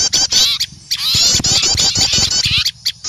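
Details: A flock of small birds noisily alarmed at an owl, used as a lure; continuous shrill twittering and squeaky scolding notes, with low thumping clicks underneath.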